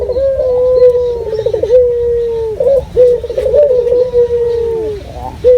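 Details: Lure recording of a local puter dove: a run of prolonged mellow coos broken by quick quavering trills, the long notes sliding slightly downward before each new phrase starts.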